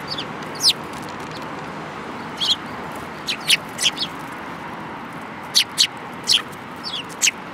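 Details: Group of sparrows including a yellow-beaked individual, 5 February 2018: clipped high chirps in loose clusters, a few close pairs and triplets, against a constant hiss.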